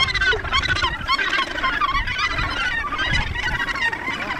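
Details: A dense chorus of harsh, grating, overlapping calls from many Australasian gannets at a nesting colony at Cape Kidnappers, New Zealand, with a few people's voices and laughter underneath.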